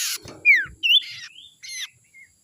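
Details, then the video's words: Young wild Common Iora calls, used as a lure for wild birds: a loud noisy burst, then rasping notes mixed with short, sharp whistled slurs that rise and fall, ending in a faint thin whistle. "suara sirtu muda hutan ini suara ampuh pancingan"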